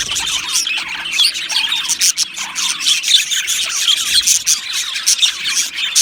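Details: Many budgies in an aviary colony chirp together: steady, busy high-pitched chatter of short ticking notes and warbled phrases, with occasional squawks.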